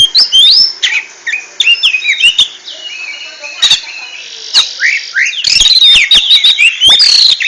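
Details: Oriental magpie-robin in ngentrok song, pouring out varied whistled slurs, rapid chips and squawky notes, softer in the middle and ending in a loud, fast run of high trills and sweeps.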